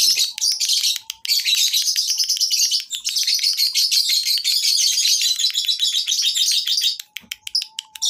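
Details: Lovebirds at a breeding farm, natural sound used for tutoring other birds to sing: a dense, continuous chorus of shrill chattering and rapid high chirps from many birds, with brief pauses and a faint steady hum beneath.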